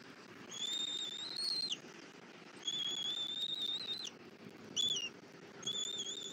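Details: Bald eagle at a Southwest Florida nest in February while a parent feeds the chick a rabbit brought for breakfast; nest camera. Four faint, thin, high whistles, each held about a second, over steady background hiss.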